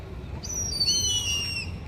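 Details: Young Indian grey hornbills calling together about 50 feet high in a Nilgiri tree: thin, high, drawn-out squealing notes, one rising slightly and then flattening, over steady background noise.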